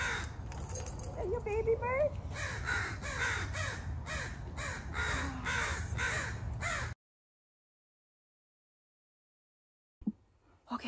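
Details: Parent crows calling as someone tries to give their fledgling back; a fast run of harsh caws for about seven seconds mixed with a woman's voice, then silence and a brief noise at the end.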